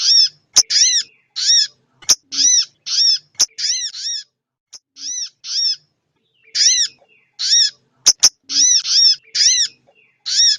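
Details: Sogon ontong female calling to the male, used as a lure: rapid runs of harsh, nasal, arched notes, often in twos and threes, with a brief pause midway. Occasional loud dry clicks between phrases.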